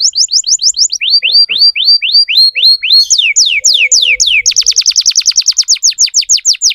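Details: Domestic canary song used as a tutor recording for young canaries: rapid tours of clear whistled notes, first rising slurs, then downward sweeps, ending in a fast, dense trill of repeated syllables.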